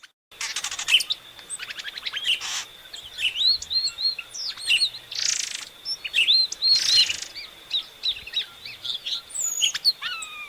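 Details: {'caption': 'Epaulet oriole song: varied clear whistled notes, some rising or falling, mixed with short harsh buzzy bursts and quick chips, phrases coming in irregular runs over a quiet background.'}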